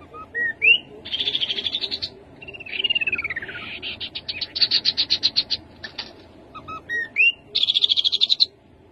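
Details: Rufous-capped babbler song: rising whistles lead into buzzy high trills, a sweeping descending slur, then long runs of rapid piping notes and a final dense buzzy trill. The singing is nearly continuous.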